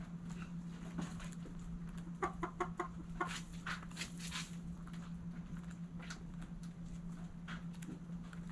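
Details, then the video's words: Hens in a backyard flock at morning sunrise cluck in a short rapid run around the middle, with soft rustles and scratching noises and a steady low hum throughout. "Hens Clucking Roosters Crowing"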